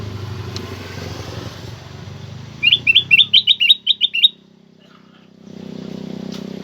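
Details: Black-crested bulbul song used to make other kept bulbuls sing: a quick burst of about eight loud, clear, bouncing whistled notes lasting under two seconds, with low background hum before and after.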